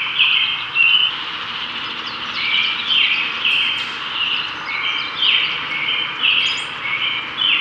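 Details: Brown-headed cowbird male displaying to a female in spring, Cook County, Illinois, while she catches a cicada; short sharp chirps repeat about every second, with occasional very high thin whistles over faint background hum.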